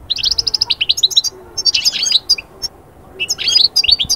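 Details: European goldfinch singing, offered to bring birds from moult into summer mating mood: a fast string of repeated tinkling notes, then buzzy chattering phrases after short silences.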